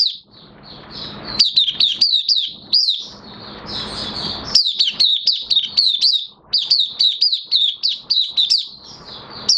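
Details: Caged Oriental white-eye in minor moult delivering a lively, high-pitched twitter of quick falling chirps, with a short stretch of hissy rustling near the start before steady, rapid singing.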